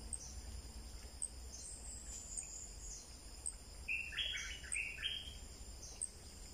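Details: Wild bulbul singing near dusk during breeding season, lured by playback: a short run of bright, liquid whistled notes with quick downward slurs around four seconds, over steady high insect trilling and faint background hum.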